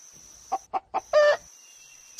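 A chicken gives three quick, clipped clucks about a quarter-second apart, then a longer, louder, harsher squawk; a faint steady high whine runs underneath.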